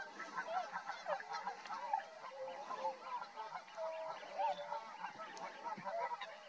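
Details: Tundra swans near Rosedale and Munson, Drumheller, Alberta, Canada: a dense chorus of many high, nasal honks overlapping continuously, some rising and falling, with a steady background hiss.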